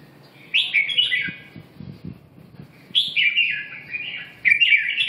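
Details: Three distinct bursts of melodious, slurred whistling from a red-whiskered bulbul, each phrase dropping slightly in pitch, with soft low tapping between them.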